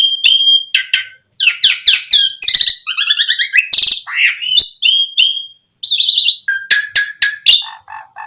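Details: Asian pied starling song played to provoke starlings into full singing: whistled slurs and chatter, a harsh rattling burst, steady whistled notes, then low repeated clucking notes near the end.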